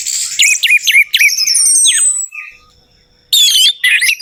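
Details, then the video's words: Orange-headed thrush lure song meant to get a silent bird singing: quick looping whistled notes, a long high thin whistle, a pause, then a short bright burst of chirps. "PANCINGAN TERBAIK TERAMPUH UNTUK BURUNG ANIS MERAH MACET BUNYI, PASTI LANGSUNG NYAUT"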